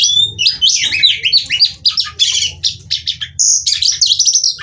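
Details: Female oriental magpie-robin giving rapid, lively seductive chatter with ngobra wing-flutter display, meant to stimulate young males to sing. Quick strings of high, twisting whistles and harsh chips pour out almost without pause, with a faint low rumble behind.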